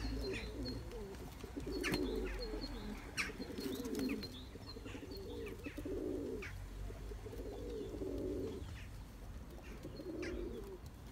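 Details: Turkish tumbler pigeons chase their mates to breed, with rhythmic, swelling coos repeating roughly every one and a half to two seconds over a low background hum and scattered faint chirps.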